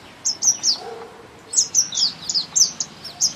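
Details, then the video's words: Thrush nightingale singing in spring: two bursts of high, slurred notes separated by a brief pause, each burst a quick run of three to six loud descending notes. "Singing nightingale"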